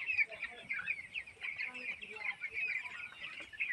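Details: Many 18-day-old chicks on a chicken farm giving a dense chorus of high, overlapping peeps and short chirps, continuous throughout with no pauses.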